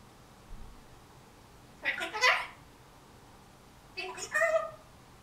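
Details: Zeva, a captive grey parrot just over a year old, in September 2010, mimicking speech: two short, word-like, harmonic phrases about two seconds apart against a quiet indoor background.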